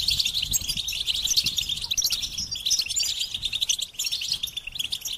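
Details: Goldfinch singing: a continuous, rapid twittering of high, fine notes with short trills and chirps, running without pause through the whole stretch.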